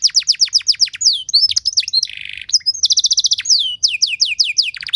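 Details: Canary with ornate, luxurious phrasing, sung to provoke other canaries into lively song: quick down-sweeping notes, a low buzzing rattle, a tight mechanical trill, then more rapid falling whistles.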